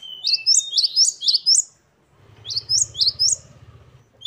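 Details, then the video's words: Great tit, known locally as gelatik batu, singing in full voice: quick bursts of high rising whistled notes repeated in two phrases, with a low steady hum beneath the second burst. "Gelatik Batu Gacor Variasi Mewah. Great tit. Singing birds. Parus Major."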